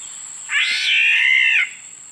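A Black-naped oriole gives one harsh, nasal, cat-like mewing note lasting about a second, over a steady high-pitched insect whine.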